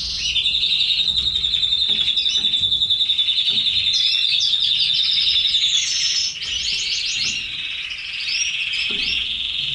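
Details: Red canaries kept by their owner; a long even rapid trill held for several seconds, followed by varied chirps, sweeps and rolling warbles.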